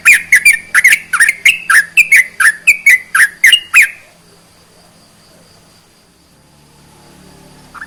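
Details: Sooty-headed bulbul song used to rouse quiet bulbuls: fast sequence of whistled, twisting notes for about four seconds, then stops, leaving only a faint low hum.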